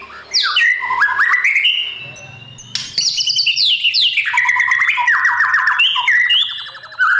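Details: White-rumped shama giving morning song, used as a voice model to train wild-caught birds for singing contests; rich varied phrases of whistled notes sliding up and down, with rapid trills and a brief pause near the middle.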